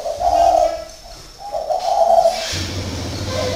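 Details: Caged decoy spotted dove in northern Vietnam repeating low hollow coos in short phrases, followed by a steady low hum.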